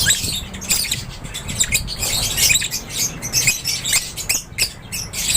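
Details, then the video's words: Group of lovebirds in an aviary producing a steady stream of high, scratchy chirps and sharp squeaks, overlapping calls from several birds above a low hum. "LOVEBIRDS CHIRPING SOUNDS"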